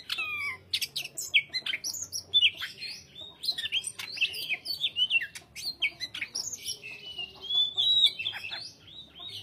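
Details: Long, varied greater green leafbird song mixing rapid chirps, slurred whistles and buzzy notes in continuous quick phrases with sharp clicks throughout.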